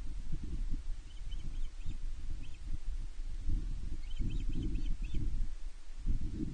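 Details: Osprey female calling for fish from her mate on Loch Arkaig Nest One, late May 2023: short clusters of four or five sharp, high, whistled cheeps separated by pauses, partly masked by loud gusting wind.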